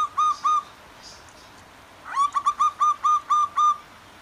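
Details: Male and female zebra doves in the wild calling back and forth beside softly flowing water; two clear notes, a pause, then a quick run of seven evenly repeated cooing notes over faint background hiss.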